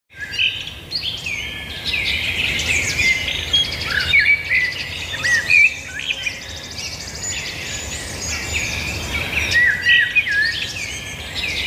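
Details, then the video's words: Several birds sing at once in a busy chorus of high chirps, whistles and trills, overlapping continuously, with a low steady background rumble. "birds singing"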